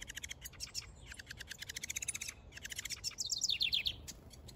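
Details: Male house wren building a nest in a backyard, singing a rapid, bubbling chatter of fast high notes packed several per second, closing with a quick descending run of sweet, slurred notes.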